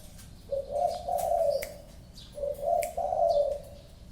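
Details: Spotted dove, a favoured caller, giving low mellow coos in two phrases, each a short note followed by a longer wavering coo, with faint chirps of other small birds in the background.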